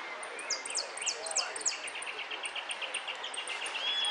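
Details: A finch competing in a song contest sings high and bright, with quick rattling trills and then a steady run of sharp chirps, about four a second, over faint background noise.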